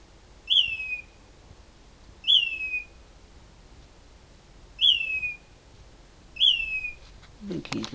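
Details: A bird calls loudly in a mesquite tree at 4am, at night, an unusual occurrence. Four sharp, high, downward-slurred whistles are repeated every two seconds or so over a quiet background. A brief rustle follows at the end.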